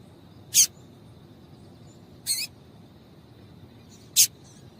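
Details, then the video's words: Calls of a female Double-collared seedeater, meant to get males singing; three high, clipped notes roughly every one and a half to two seconds, the middle one a little longer and buzzier. "Piado de Fêmea de Coleiro para Esquentar Coleiro"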